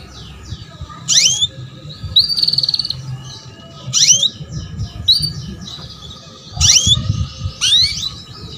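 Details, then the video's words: Female canary luring a male to sing: sharp falling chirps in clusters about every one to three seconds, a brief buzzy trill, with low background rumble. "KENARI BETINA MEMANCING JANTAN || PANCINGAN KENARI PAUD AGAR BUNYI"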